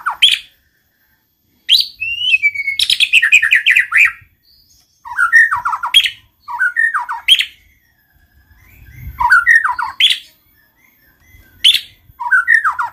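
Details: White-rumped shama singing to prompt other shamas: a series of short phrases of sharp, downslurred chattering notes with pauses, one longer rapid cascade near the start.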